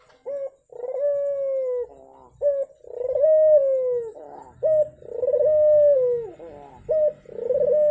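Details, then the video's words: Turtle dove cooing, used as a lure to prompt a silent dove to sing: a short low coo followed by a long, sustained, slightly rising then falling coo, the pair repeated about every two seconds, with clean, quiet surroundings. "Pancingan Burung Puter Macet Biar Cepet Bunyi"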